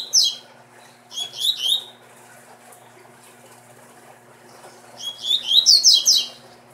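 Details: Captive double-collared seedeater, a breeding bird, singing in bursts of rapid high twittering phrases with sharp rising and falling notes, separated by pauses of a few seconds, with a low steady hum behind.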